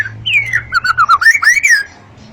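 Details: Long-tailed white-rumped shama singing a loud, clear whistled phrase: a falling note, a run of short wavering notes, then rising and falling slurred whistles fading out.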